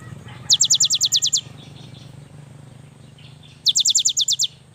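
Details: Young cinereous tit in lively song: a quick high-pitched trill of around nine sharp notes, a pause with faint chirps, then a second similar trill.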